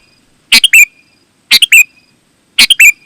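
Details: Sooty-headed bulbul, used as a lure for other bulbuls: three loud phrases, each a harsh note followed by two bright chirps and a short whistled tail, spaced about one second apart.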